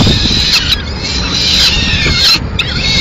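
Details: Peregrine falcon, Madrid, 30 April 2016, the female arriving with pigeon leftovers; short grating screams in quick succession, partly masked by low city noise.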